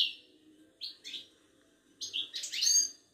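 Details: Moroccan Wydani European goldfinch from a Casablanca bird market, singing short high twittered notes, a pause, then a dense tinkling, buzzy flourish; faint low hum in the background.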